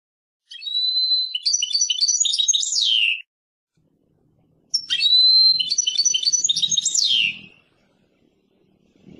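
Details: Persian goldfinch delivering two long song phrases, each opening with a steady whistled note and then a rapid, jingling twitter that ends in a falling slur. A faint low rumble is heard between phrases.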